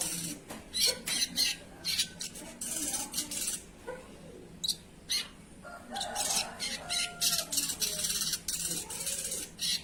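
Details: Sogon singing actively in gacor style: sharp, very high chirps and clicks in quick bursts, clustered every second or so with brief pauses, over a faint low hum.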